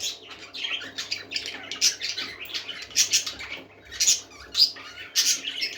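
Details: A flock of parakeets squawking and chattering, with harsh raspy notes and quick chirps in dense, pulsing bursts over a faint hum.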